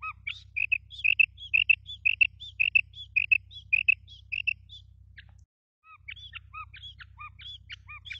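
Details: Female quail (batair) giving rapid, high, chirping 'kirk' notes in quick clusters, used as a hunting lure call, with a brief silent break midway and a steady low hum underneath.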